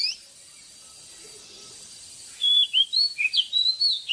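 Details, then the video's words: Morning song of a wild-caught oriental magpie-robin, used to train caged birds. A quiet start with faint low chatter gives way after two seconds to bright, rapid whistles that swoop and dip. "เสียงนกกางเขนบ้านหรือนกบินหลาขี้ควายใต้ Choè than Già rừng hót zbuooir sáng cực hay"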